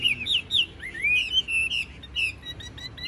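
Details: Short burst of song from a caged 'bánh tẻ' Chinese hwamei: bright whistled notes that rise and fall, with a smooth upward glide in the middle and quick chips at the end.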